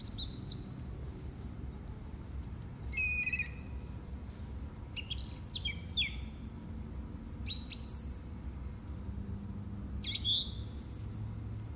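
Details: Song thrush singing in March 2018: short varied phrases of sharp high notes and whistled slurs, one phrase every second or two with pauses, over a low steady rumble.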